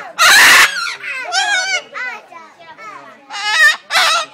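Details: Captive blue-and-yellow macaw at Walter Zoo, Gossau, Switzerland: a loud, harsh squawk opens, followed by several wavering, voice-like syllables, a pause, then two more loud, ringing utterances.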